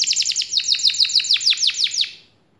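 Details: A kept canary sings a quick run of sharp, high chipping notes, rapid at first then slightly slower, ending abruptly in silence.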